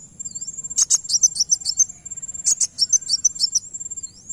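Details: Van Hasselt's sunbird singing, played to get another bird to answer: two bursts of quick, piercing high chirps, roughly eight notes each, plus a thin slurred whistle, above a continuous high-pitched tone.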